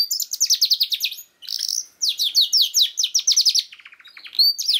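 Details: Canary song meant to coax a young canary into singing: bursts of rapid repeated chips forming rolling trills, a short gap, more fast trills, then softer lower twitters.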